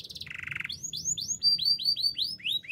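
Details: Canary song opening with a brief high trill that steps down into a lower rattling trill, then a sequence of rising-then-falling arched whistled phrases repeated roughly every quarter second.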